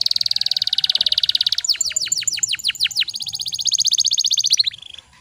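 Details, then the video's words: Canary singing a lure song meant to prompt silent canaries to sing: a long even high trill, then a run of rapid falling swept notes, then a second fast rattling trill ending in short whistles. "PANCINGAN KENARI MACET BUNYI PALING DI CARI"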